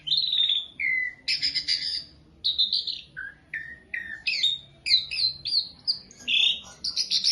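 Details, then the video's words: Asian pied starling, a beginner bird used as a song tutor, singing a varied run of loud whistled and harsh notes, some falling, some sliding up, in quick bursts with short pauses, clean background. "Masteran Burung Jalak Suren / Jalak Suren Pemula"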